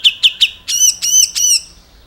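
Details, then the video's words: Grey-cheeked bulbul, known locally as cucak jenggot or gebres, in a tutor recording for songbirds: three quick sharp chips followed by three longer, rough, squawking notes rich in overtones. "MASTERAN / GURU VOKAL SUARA BURUNG CUCAK JENGGOT"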